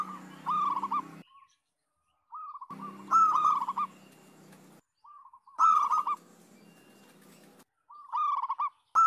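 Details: Chorus of local zebra doves in energetic song, used as a lure to get silent zebra doves singing: phrases of soft, rapid, rolling cooing notes near one pitch, several bursts separated by short silences, with faint background hiss.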